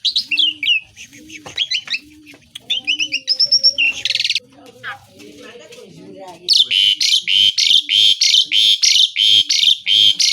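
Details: Asian pied starling singing busily, its song filled with mimicked calls and harsh besetan passages: varied whistled and chattering notes, a burst of metallic trills, softer warbling, then a long run of loud buzzy rasping bursts at a steady pace.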